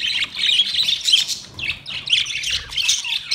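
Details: A colony of white and green parrots calls with a steady stream of shrill, grating shrieks from several overlapping birds.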